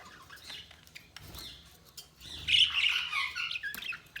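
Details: Budgerigars give soft, scattered chirps and clicks that swell into a loud, grating warble for about a second before settling into fainter chattering twitters.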